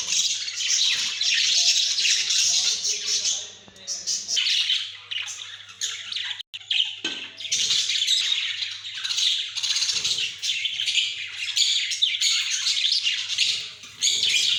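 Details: Pet budgerigars (Melopsittacus undulatus), recorded 28 October 2023, chatter constantly with high, scratchy warbles, squawks and quick chirps.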